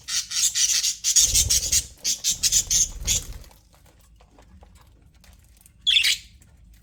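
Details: Aviary budgerigars give a rapid stream of scratchy, high chattering notes for about three seconds, then near silence and one brief raspy squawk at the end.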